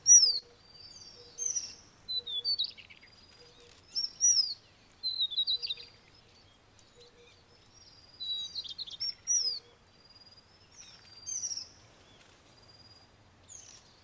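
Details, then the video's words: Taiwanese White-browed Shortwing, subspecies goodfellowi, recorded in Taichung, Taiwan, on 6 February 2020, in dense forest. Short, high, jumbled warbling bursts come every one to two seconds, with quiet pauses between them. "小翼鶇 / White-browned Shortwing"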